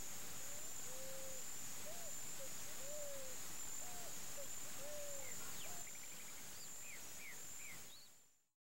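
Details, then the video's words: Wild Picazuro Pigeon in Campo Grande, Mato Grosso do Sul, Brazil, repeating a low cooing phrase of short and long notes for several seconds, then falling quiet while small birds chirp and a high insect whine continues before fading out. "O canto da Asa-branca, Pombão, Patagioenas picazuro, Picazuro Pigeon"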